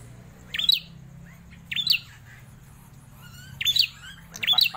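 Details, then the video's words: Prinia kept for over four years in captivity utters loud, high, squeaky chirps in short bursts, separated by pauses of about a second, with faint background hum. "Prenjak klawu gacor, suara lantang"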